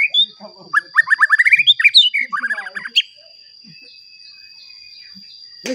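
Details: Provoking song of a white-rumped shama for rousing rival birds: a rapid string of rising whistled notes and buzzy phrases lasting about three seconds, followed by quiet with a faint steady tone.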